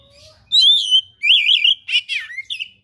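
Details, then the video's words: Chatty oriental magpie-robin delivering rare fill-in material: a loud, steady high whistle, then a wavering, trilled phrase, a buzzy downslurred note and a short final chirp, all close and clear. "KACER GACOR SPECIAL FULL ISIAN MATERI LANGKA"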